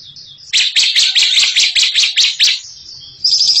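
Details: Songbird in the ngekek style: a string of about nine sharp, high, evenly spaced chipping notes in under two seconds, ending with a thin high twitter.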